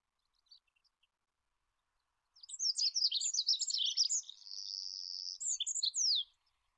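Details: Olive-backed pipit song on a master recording for training cage birds: after two seconds of quiet with a few faint notes, a high rush of varied chirps, a sustained buzzy trill, then sharp descending slurs.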